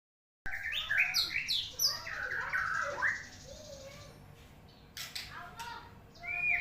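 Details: White-rumped shama singing in the morning: a rich run of varied whistled phrases, some sliding and some warbled, over the first three seconds, then quieter scattered notes with sharp clicks and a final high whistle.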